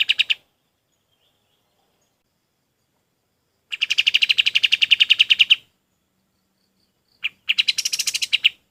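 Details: Training recording of golden-bellied gerygone song: clean, rapid trains of high, slurred whistles, each lasting about two seconds, separated by long silent gaps.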